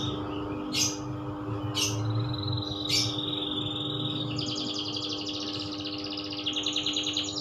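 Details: Loper-style canary song opening with scattered sharp chirps and a thin whistle, then a rapid rattling trill near the end, with a constant low hum underneath.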